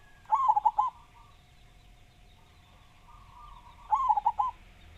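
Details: Loud local zebra dove of Java, recorded as a lure to draw song from other doves. Two rapid, stuttering coo phrases about three and a half seconds apart, with a faint drawn-out coo between them.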